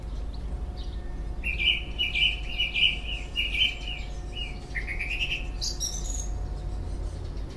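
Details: Unidentified bird singing busily in a garden this year: a series of short, high, chirping notes repeated about twice a second, then a quicker, higher jumbled phrase, over steady low background rumble and hiss.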